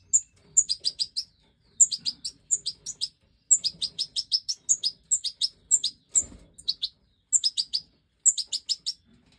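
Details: Breeding Major goldfinch (Stieglitz Major), 2024, singing quick clusters of very high tinkling chirps, each cluster opened by a sharper lead note, repeated steadily with short pauses and one brief thump.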